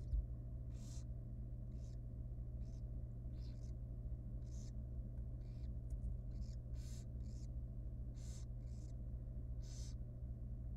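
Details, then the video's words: Wild, very young barn owl nestling at feeding time in a monitored nest box. Faint, harsh hissing bursts come irregularly, about every second or two, over a steady low electrical hum. "Super tiny and young barn owl baby feeding time"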